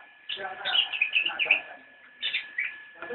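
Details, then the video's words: Javan white-eye, known locally as cicak rowo, delivering a brief nyinden phrase: a fast run of bright, warbling high notes, a pause, then a few more chirps, with a steady background hum. "Video Cicak rowo nyinden for you"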